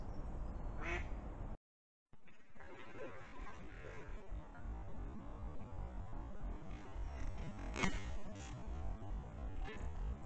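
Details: A Mallard on a river in Galicia gives a few harsh, abrupt alarm quacks as a goshawk flies across and a fox runs in, over a steady low rumble of moving water and splashing.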